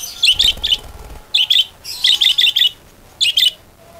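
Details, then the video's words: Budgerigar chatter used as a lure to make other budgerigars sing actively. Rapid groups of sharp, high chirps in bursts, with a brief low rumble near the start. "PANCINGAN PARKIT AGAR GACOR"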